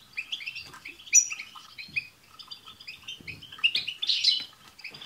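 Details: Several European goldfinches singing at once to encourage a pet goldfinch to sing; a continuous jumble of bright twittering notes and short trills, with a louder buzzy burst near the end.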